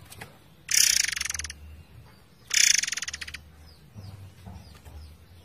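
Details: A pair of loud, rasping, rattled bursts from a forktail, each nearly a second long, about two seconds apart. Gentle flowing water and faint thin chirps follow.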